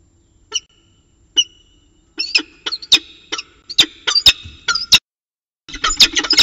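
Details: Evening exchange between a peregrine falcon pair at CSU Orange, 6:45 pm, 11 December 2018: two sharp isolated notes, then a dense burst of loud, harsh, clipped cries, a brief pause, and another rapid rasping volley.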